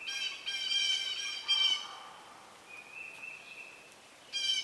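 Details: Red-shouldered hawks at a nest with young about to fledge as an adult brings a snake: loud, harsh, harmonic squealing calls in two bursts, then a steady thin whistled tone, before another squeal at the end.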